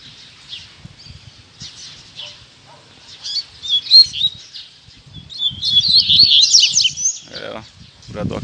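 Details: Caged Double-collared Seedeaters at a morning gathering of keepers sing high, rapid twittering phrases of sweet chirps and trills, one bird singing from the ground, several overlapping, swelling in the middle, with low murmured voices beneath.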